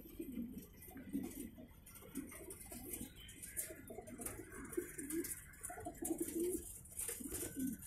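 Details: Racing pigeons cooing at a Ketapang, Indonesia loft during a 2018 race: repeated low, rolling coos roughly every second, several birds overlapping, against constant hiss and scattered clicks.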